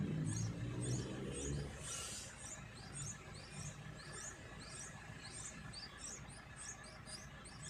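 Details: Yellow-vented bulbul at its nest, where both parents feed their chicks; thin, high chirps repeat quickly, about three or four a second, staying faint and steady over a low background rumble.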